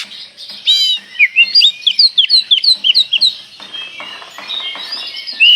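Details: Oriental magpie-robin in a provoking lure recording, giving a quick series of repeated slurred whistles over faint background hiss, followed by softer, fading notes.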